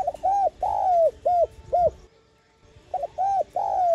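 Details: Spotted dove cooing, played to stimulate decoy doves to coo and lure wild ones: short mellow hooting notes followed by a longer falling coo, the phrase given twice with a brief pause between.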